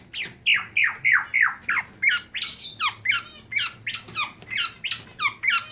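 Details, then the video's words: Tame Black-naped Oriole from Klaten, Central Java, singing with full isian: a string of sharp downslurred whistled notes, then mixed higher chattering, repeated about three times a second in an indoor setting. "Kepodang Emas Gacor Jinak Full Isian sampai Teller"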